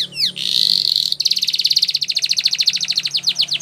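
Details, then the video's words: Canary training song: a brief falling whistle, a sustained bright buzz, then a fast even roll of clicky notes, ten or more per second, tailing into downslurred chirps. "Canary singing Bird Sounds At Its Best | Melodies Canary Bird Song"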